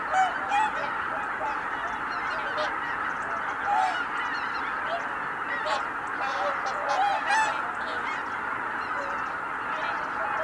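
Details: Greater white-fronted geese rising as one flock at Kabukuri-numa, 12 January 2019. Loud, irregular bursts of ringing, layered cackling honks sit over a constant roar of the crowd, peaking several times across the stretch.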